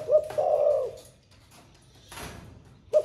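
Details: Spotted dove of the 'thổ pha' singing style, said to coo all day: one low, smooth cooing phrase with a short lead note, then a quiet stretch with a soft rustle, and a fresh coo starting at the end.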